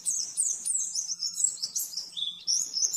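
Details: Oriental white-eye master song in the fast nembak-nembak style for caged-bird training. A dense stream of very high, squeaky twitters comes in quick runs, ending in a dip to slightly lower whistled notes, with a soft background hum.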